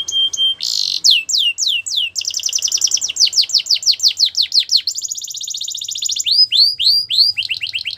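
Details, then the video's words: Canary song used for coaching canaries: varied phrases mixing buzzy rolls, sweeping falling notes, a fast even trill and upward-curving chirps, changing tour every second or two. "Best canary sounds!! Suitable for canary training"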